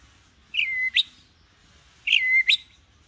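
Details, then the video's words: Calm, non-aggressive white-rumped shama singing for young birds learning to sing: two identical whistled phrases about 1.5 seconds apart, each a falling slurred whistle ending in a quick rising flick, over quiet background. "Pancingan murai batu || khusus trotolan agar belajar bunyi"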